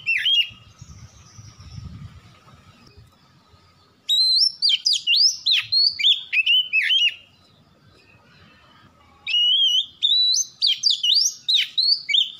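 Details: Lure song of an Oriental magpie-robin meant to get birds singing: two long, lively sequences of varied whistles and sharp slurred notes delivered in quick succession, with a soft low rumble early on.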